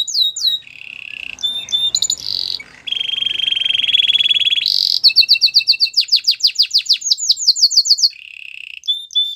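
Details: Song of a Belgian singing canary, a domestic bird, moving through fast tours: looping whistled notes, a long even buzzing trill, then bright rapid downward-swept syllables about four per second faster, and a closing lower trill; faint background hiss.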